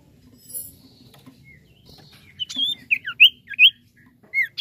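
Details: Lively common iora song meant to prompt young birds to sing. After a quiet start comes a quick string of short, clear whistled notes that flick up and down, some looping, delivered in bursts.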